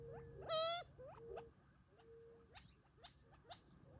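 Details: Feeding Gambel's quail near Tularosa Creek, July 2021, taking favorite treats on family property before nightfall retreat; one loud, nasal, harmonic call opens, followed by short upslurs, flat soft notes and three crisp chips at half-second spacing.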